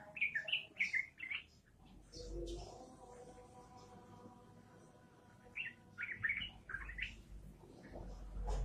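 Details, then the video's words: Yellow-vented bulbul singing in lively, rapid 'gacor ropelan' style: two bursts of short bubbly, warbled notes at the start and again after a pause. A steady droning hum with layered tones fills the quiet middle stretch. "trucukan gacor ropelan edan trucukan gacor"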